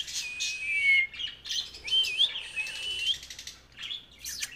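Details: Friendly pet ringneck parrot, a talking bird, producing loud, drawn-out whistled notes that waver and rise in pitch, broken by short raspy chirps and brief pauses, with a final burst of sharp chatter.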